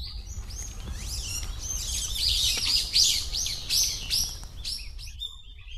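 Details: Wild birds in a park, captured on a handheld Zoom H4n recorder with noise reduction: dense, overlapping high chirps and quick upward-sweeping notes tumble over one another in a lively chatter, with a faint low rumble underneath.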